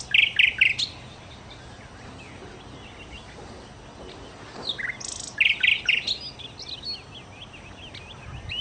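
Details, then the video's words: A nightingale, local name sikatan londo, sings in bursts: a short loud cluster of harsh chattering notes, a pause with faint twitters, then another chattering burst and a string of thin, high chirps. "kicau Sikata Londo( Nightingale Birds )"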